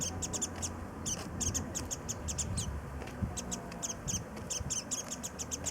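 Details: Warbling white-eye calling while busily flying about and sipping nectar from early-blooming cherry blossoms at Kitagō Station, Nichinan, Miyazaki, Japan; thin high chips in quick bursts over a steady low rumble of background noise.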